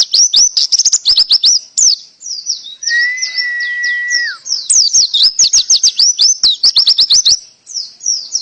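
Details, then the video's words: Canary singing in the Indonesian pleci full tembakan style: dense, high, rapid warbled and trilled notes with sharp repeated chirps, broken mid-way by one long, steady, lower whistled note that drops at its end. "Pleci Full Tembakan kenari canary"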